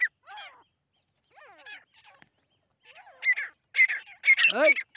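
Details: Grey francolins, local fighting birds, calling during a fight: soft slurred notes at first, then loud harsh ringing squawks crowding together toward the end.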